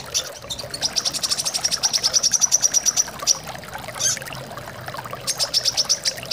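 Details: Brown-throated sunbird chirps rising in loudness into a fast, even run of shrill notes, a short pause, then another burst, with running water behind; a sound for prompting birds to sing.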